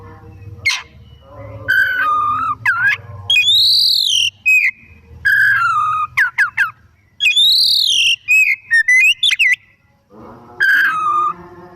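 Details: Afternoon song of a white-rumped shama, intended to draw other birds into singing: rich fluting whistles, arched rising-falling phrases and sharp slurred notes separated by short pauses.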